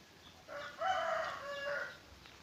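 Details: Zebra dove cooing softly: a few low, mellow tonal notes, the middle one longest and slightly louder, fading into a quiet background hiss.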